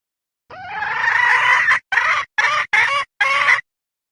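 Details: Luring call of a hen: a long, gradually rising, nasal harmonic note lasting over a second, followed by four short, loud notes spaced about half a second apart.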